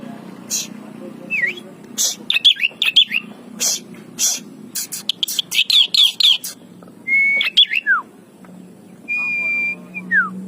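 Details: Javan pied starling, said to imitate the voices of all kinds of birds, giving a varied series of sharp clicks, rising and falling whistled slurs and a long flat whistle, with low hum behind.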